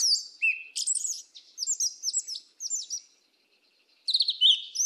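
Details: Yellow-legged Thrush singing the southern 'mateiro' style of song: rapid high, thin whistled and twittering phrases, sharp upslurs and trills, separated by short pauses, with a fresh burst of chattering notes near the end.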